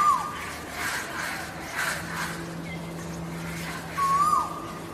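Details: Asian koel male, holding a song territory to attract females: two short hooked notes that rise and then drop, near the start and again after four seconds, over a steady low hum and soft broadband bursts from other sounds.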